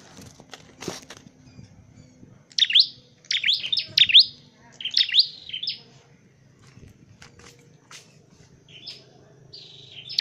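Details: Dark-necked tailorbird song recorded during bird training and trapping: a burst of sharp, high chirped notes in quick succession in the middle, then quieter scattered chirps, over a low background hum.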